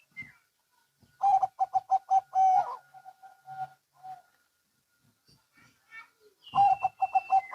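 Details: Local and Bangkok-type zebra doves answering each other: a quick burst of staccato cooing notes, a soft trailing murmur, then a second burst from another bird after a pause.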